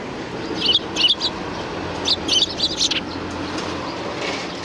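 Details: Several sparrows welcome visitors at a Tenmangu shrine, recorded 7 January 2019: quick high chirps in doubled and tripled bursts during the first three seconds, then fading, with a steady low hum beneath.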